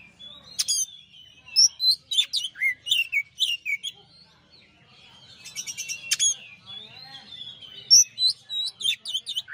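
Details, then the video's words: ['Champion Oriental magpie-robin singing in a master recording: loud whistles and buzzy chirps in quick succession, a pause, then a rattling burst and renewed rapid whistled phrases, richly varied throughout.'] "masteran suara kacer juara"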